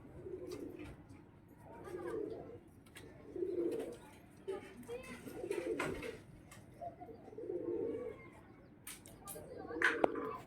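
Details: Pigeon cooing: low, soft, rounded coos repeated about every one to two seconds, with indoor voices and clicks in the background.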